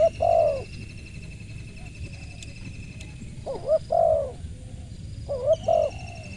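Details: Spotted dove calling three times: short hiccuping lead-in notes leading into a mellow, descending coo, with pauses between phrases and faint thin whistles and ticks in the background.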